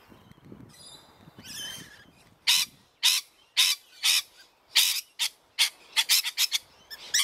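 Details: A pair of backyard rainbow lorikeets near their nest give shrill, harsh screeches, about two a second, after a brief stretch of softer chatter and twittering.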